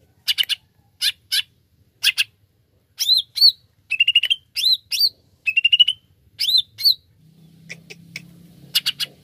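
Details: A singing greater green leafbird gives high scratchy chip bursts, then bright upslurred whistles and quick rattling trills in rapid phrases. A faint low hum comes in near the end. This is a lure recording.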